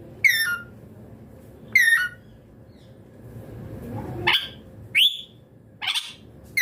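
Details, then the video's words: Rose-ringed parakeet chirping: harsh, harmonic, downslurred screeches, two in the first two seconds, then four shorter upward-sweeping calls roughly a second apart, against a faint steady hum. "Natural Parrot Sounds Amazing Parrot Chirping Sounds / Natural Parrot Voices"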